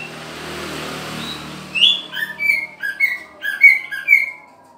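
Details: Green leafbird during pairing: after a stretch of soft background hiss, a run of clear whistled notes begins, alternating higher and lower pitches in a lively, uneven sequence.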